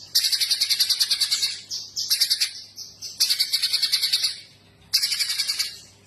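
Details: Streaked spiderhunter singing energetically, with four runs of fast, high, metallic chips, each lasting one to two seconds and separated by short gaps and brief thin linking notes. No other sounds stand out.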